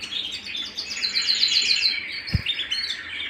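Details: Home canary delivering a quick series of high repeated chirped notes in a rapid tumbling trill, with a soft thud midway and further twitters after.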